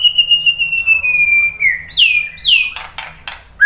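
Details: White-rumped shama giving a long, thin, slowly falling whistle. Two loud downward-swept whistles follow, then a few sharp clicks, over a faint low hum.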